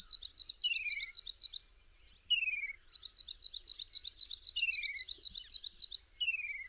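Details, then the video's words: Slender-billed babbler at Kaziranga National Park in Assam, India, a tall-grassland bird. Rapid bursts of high, bubbling chirps, each run lasting over a second, alternate with single descending slurred whistles that drop in pitch. A faint low rumble sits underneath. "Slender-billed Babbler"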